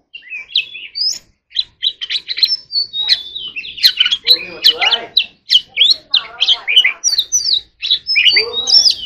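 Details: Oriental magpie-robin in contest song, mixing short whistled and chipping notes with repeated harsh, rasping squawks, delivered in quick bursts with brief gaps throughout.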